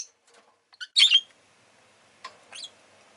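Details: Rosy-faced lovebird, a pet bird, giving a short squeaky note then a loud doubled harsh chirp, followed by softer chirps, over faint low street noise.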